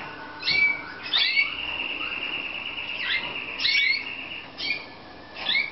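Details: Romanian Slavujar canary singing a long, level sustained whistle held for about two seconds, framed by short swooping whistled notes.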